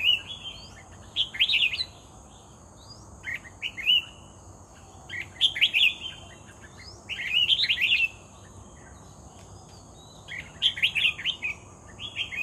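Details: Lured red-whiskered bulbul in lively song, repeating quick liquid warbling phrases every two to three seconds over a constant thin high-pitched hiss.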